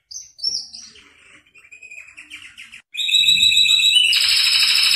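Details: Atlantic canary song offered to get a quiet canary singing: opening whistled notes and soft twittering, then a loud, steady, very fast rolling trill holding on high pitches to the end, faint low rumble beneath.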